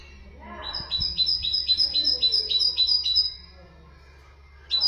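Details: Great tit song used to teach goldfinches and canaries: a run of about eight quick, ringing two-note phrases, high and metallic, repeated evenly for two seconds, then a fresh phrase begins after a pause.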